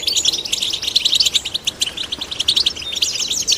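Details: Brief, lively burst of goldfinch chick song, male and female birds stimulated to sing, with rapid sparkling chirps packed closely in a continuous twitter.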